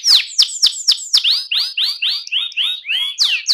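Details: AF canary giving ngerol rolling song: sharp descending whistles followed by rounded, arching notes that drop lower in pitch, delivered in a lively, uneven series.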